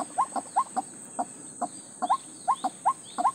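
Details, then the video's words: White-breasted waterhen separated from its mate, giving short hooked rising notes repeated roughly every quarter to half second in an uneven series, with a steady high insect-like whine running throughout. "Ruak ruak lupa dengan pasangan nya"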